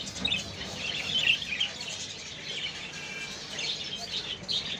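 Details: A pair of crested budgerigars chatter in quick, warbling chirps and squeaky high notes that run together without pause.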